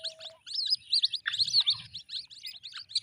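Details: White-breasted waterhen chicks calling: a dense stream of thin, high, rapid cheeping notes, overlapping peeps from several young birds with brief gaps, plus faint low rumbling underneath.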